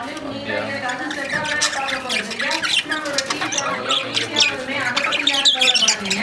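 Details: Lovebirds, a pair, squawking and chattering nonstop: harsh, buzzy squawks with many overtones, interleaved with thin high chirps and wavering squeals, the calls overlapping throughout.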